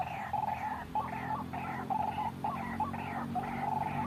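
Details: White-breasted waterhen call played as a trapping lure: repeated throaty kru-ak notes, each with a bright tone and a rising tail, about two per second, over humming background.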